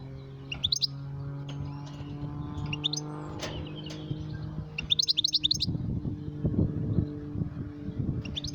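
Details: Goldfinch calling: short clusters of high, sharp chirps every couple of seconds, set against a steady low hum and some rumbling background noise.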